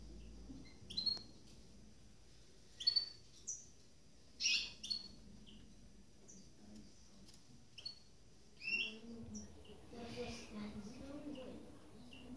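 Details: Caged goldfinch mules, two birds just finished moulting, give sparse sharp chirps and brief twitters spread over several seconds, then a soft low murmur near the end.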